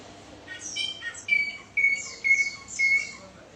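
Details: Bar-winged prinia song: a short run of bright, sharp chirped notes that step up in pitch, with thin high tones over them. Loud bursts come about every half second over faint background hiss.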